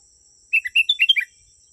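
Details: Sooty-headed bulbul singing in a genuine recording for attracting wild birds: a brief, cheerful run of bubbling whistles that climbs then drops over about three-quarters of a second, backed by a constant insect hum.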